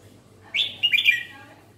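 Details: Chào mào (red-whiskered bulbul) in ché song style: one brief, lively phrase of clear, gurgling chirps that rise and dip quickly, set against a constant low background hum.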